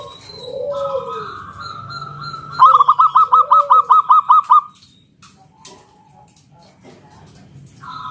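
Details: Local wild zebra dove in full song in the ngalun kung bulat style, used as a lure to draw other doves into singing: one run of about ten quick, even, hooting coos, with softer sliding calls of other birds before and after.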